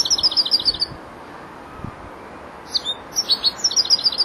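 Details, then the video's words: Juvenile European goldfinch, four months old, learning to finish its song: a rapid series of ringing high notes for nearly a second, silence, then a buzzy twitter and another quick run of bright repeated notes. "jilguero el estudiante rematando"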